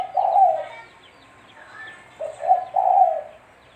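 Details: Spotted dove, called tekukur, cooing as trapping bait: a long rolling coo, a pause, then a full phrase of two short notes and a drawn-out coo, with thin chirps of small birds.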